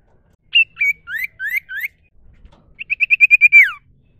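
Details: Sirtu cipoh, a wild common iora singing naturally: several loud rising whistled notes, a brief pause, then a rapid accelerating series of about nine clear notes ending in a downward slur.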